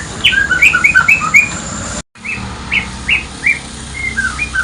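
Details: White-rumped shama singing in the morning as a lure: bright whistled notes in quick sliding pairs, rising and falling, over a steady hiss, with a brief silent break midway before the phrases resume more spaced.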